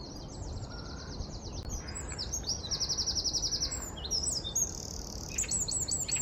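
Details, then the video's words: Wren in London, 4 November 2019, singing loudly: a quiet opening trill, then a long rapid rattling trill and bright high whistled notes tumbling into more trills, set against constant low-frequency background noise. "КРАПИВНИК ГРОМКАЯ ПЕСНЯ גדרון Winter Wren"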